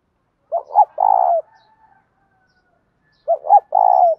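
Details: Spotted dove kept as a cage bird, cooing the 'bài bản bổi' song style to prompt another dove to sing. Two phrases, each with two or three quick stuttering notes before a long rolling coo.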